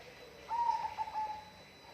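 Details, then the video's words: A single bird phrase: a steady, slightly wavering mid-pitched note lasting under a second, broken into short pieces near the end, over low background hiss. "bunyi burung"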